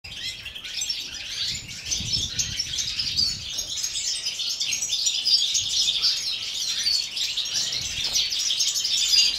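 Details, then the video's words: Several European goldfinches singing together in an aviary in winter at minus four degrees; dense, continuous high twittering and tinkling notes overlap throughout, with faint low thumps early on. "Goldfinches Winter song part II"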